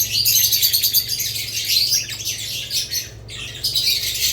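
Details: Budgerigar chatter, a thick stream of high squeaky chirps and warbles, almost unbroken apart from one short pause after three seconds.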